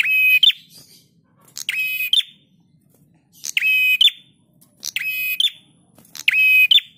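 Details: Prinia song, a master recording for training cage birds: loud buzzy phrases about half a second long, each holding a steady tone before a sharp closing note, repeated about every one and a half seconds over faint low hum.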